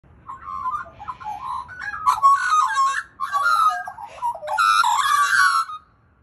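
Australian magpie warbling in rich, fluting phrases around middle pitch, with bursts of harsher, harmonic-laden notes over about five seconds.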